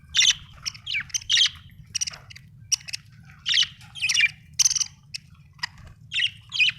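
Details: Budgie chirping in quick, uneven bursts: short raspy chirps and buzzy warbled notes with brief gaps between, over a faint low background rumble.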